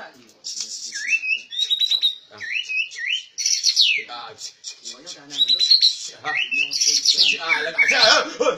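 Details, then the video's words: Rare, well-trained caged white-rumped shama singing: clear whistled notes rising in short repeated phrases, some sliding upward steeply, mixed with buzzier high bursts and faint indoor voices underneath. "Suara Burung Didikan Bagus Murai Batu langka"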